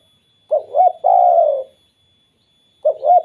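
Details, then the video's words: Spotted dove calling so that other doves start calling: a pair of short coos, a long sustained coo that slowly falls, then another two-note coo after a pause. "BURUNG TEKUKUR KUK 2 BIKIN TEKUKUR LAINNYA BUNYI"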